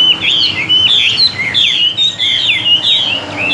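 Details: Chinese hwamei kept as a tame cage bird, pouring out clear ringing whistles, each phrase swooping and twisting, repeated in quick irregular bursts.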